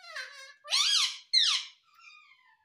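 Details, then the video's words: Indian ringneck parakeet kept as a pet in India, producing a short sequence of buzzy, harmonic squeaky syllables with sliding pitch, ending in a softer drawn-out tone. "Mummy Papa Bolne Wala Parrot || Talking Parrot"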